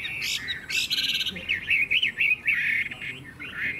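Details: Loud song of a caged Chinese hwamei sold as a songbird: a few harsh rasping bursts, then a quick series of bright zigzag whistled notes repeated several times a second.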